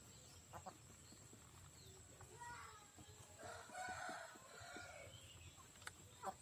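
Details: Free-range backyard chicken flock, fed in the morning on 14 January: a rooster's harmonic crow rises and holds for about two seconds midway, with scattered soft clucks and scratchy ground noises before and after.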